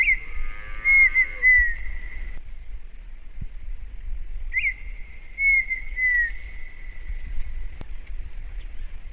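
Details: Two clear whistled phrases from a red-winged tinamou, common in the northeastern Brazilian sertão, each a few slurred notes about four seconds apart, over low rumbling background noise.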